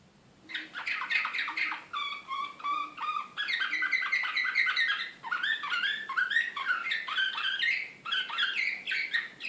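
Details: Serbian Slavujar canary, described as excited, recorded in Belgrade in 2016, delivering a rich run of varied warbled phrases: rapid trills, slurred whistles and chattering notes, broken by short pauses, with a faint low hum beneath.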